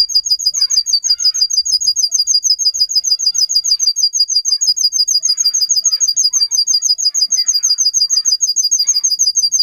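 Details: Russian canary, a domestic bird bred for singing, played for teaching young canaries: a continuous loud, very rapid high trill of evenly repeated notes throughout, with faint softer chirps underneath.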